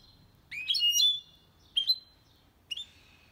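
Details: Goldfinch-canary hybrid singing cleanly for stimulating males and tutoring chicks: a liquid twittering phrase lasting most of a second, then a shorter double chirp and a final slurred note, in quiet surroundings.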